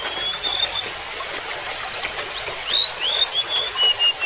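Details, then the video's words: Golden-bellied gerygone singing a continuous thin whistled phrase that holds high, then breaks into short upslurs and drifts lower, with babbling water throughout. "SUARA BURUNG REMETUK LAUT"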